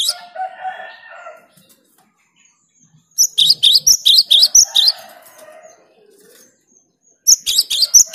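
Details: Cinereous tit (gelatik batu) singing to rile rivals: a lower buzzy chatter at the start, silence, then a burst of about a dozen sharp high repeated two-note phrases and a final short flurry.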